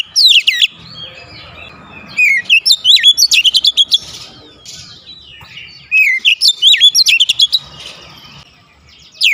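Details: Caged Oriental magpie-robin singing vigorously at home: three phrases of rapid, varied whistles and sharp chattering notes, with swooping slurs, separated by pauses of about one to two seconds.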